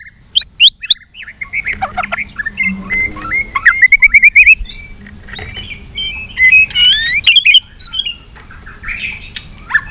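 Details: White-rumped shama singing a many-voiced fighting song: rapid rising and falling whistles that run into trilled, chattering runs, with short quiet gaps and a low hum underneath.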